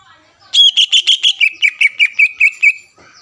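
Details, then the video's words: Greater green leafbird in top singing form, played to rouse rival leafbirds: a burst of about a dozen bright, evenly spaced whistled chirps sliding slightly lower across three seconds. "CUCAK IJO GACOR MEMBUAT CUCAK IJO LAWAN PANAS EMOSI DAN STABIL AGAR NGOTOT"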